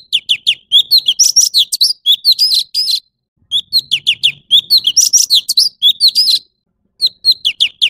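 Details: Male orange-bellied leafbird singing: long rapid series of high, downslurred whistles and sharp chirps mixed with buzzy notes, in phrases separated by short pauses.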